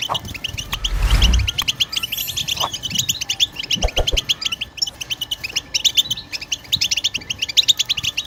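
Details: Goldfinch in 'batbata' song, used to coax other birds into singing: sustained rapid twittering of high chirps and trills, with a brief rustling thump near the start and occasional low knocks.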